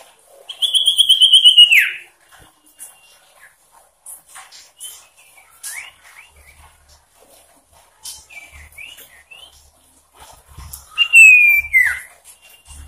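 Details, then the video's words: Sooty-headed bulbul with a varied, insistent song used to provoke rivals: a loud, fast descending whistled trill, scattered soft chirps and notes, then another sharp, slurred downward whistle, over faint background rustling. "Sirtu Cipoh Gacor ngotot Variasi Memancing Emosi Lawan"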